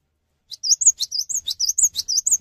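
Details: Cinereous tit prompting other tits to sing, a quick chain of high sweeping chirps and twisting whistles that repeat in pairs without pause.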